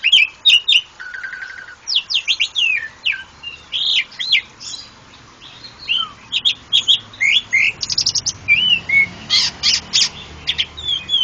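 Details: A Javan pied starling in Indonesia sings a busy, jumbled medley of sharp chirps, a brief trill, grating buzzes and quick whistled notes, with a short quieter pause midway.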